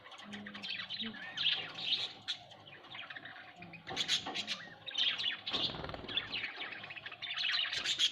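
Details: Pet budgerigars at home chattering in uneven bursts of bright chirps and scratchy warbles, with a brief rustle or flutter midway and a low hum.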